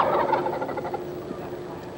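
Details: Eastern Wild Turkeys gobble in a loud, rapid, rattling burst that fades over about two seconds, overlapping gobbles blending together, in Stephens State Forest, south-central Iowa, where hundreds live in a reintroduced population.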